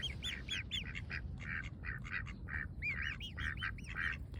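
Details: A baby swan eating fresh grass in the sun gives quick, high, arched whistled peeps in rapid series, mixed with short crackly tearing and munching sounds over a steady low rumble.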